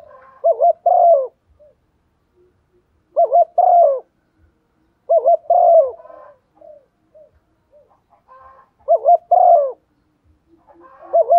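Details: Decoy spotted dove giving its standard coaxing coo meant to stir others into calling; four low phrases spaced roughly three seconds apart, each a short warbled double note and a drawn-out falling coo, with quiet gaps between.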